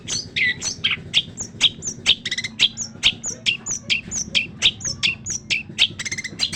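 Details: Long-tailed shrike in full harsh-style chattering song: a rapid, varied stream of sharp high chirps and short buzzy bursts, about two notes a second, over a low steady hum.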